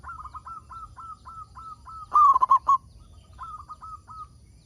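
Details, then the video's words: Local zebra dove in lively song, its call used to get other doves singing: quick soft hooked notes repeating steadily, broken by one loud, rapid, rolling cooing phrase. "Perkutut Lokal Gacor Suara Paling Ampuh Untuk Pancingan Burung Perkutut Agar Bunyi"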